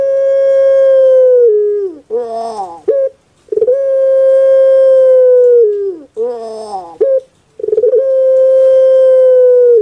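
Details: Pet puter pelung dove from Java, Indonesia, giving its prized song: long level hooting notes that dip at the close, each followed by a harsh gurgling warble and brief tail note, in a clean, quiet recording.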